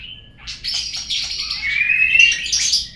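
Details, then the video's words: Short burst of white-rumped shama song used to make birds sing: high thin whistles and a rapid buzzy trill, then a long rising clear whistle. "suara pancingan burung murai agar bunyi"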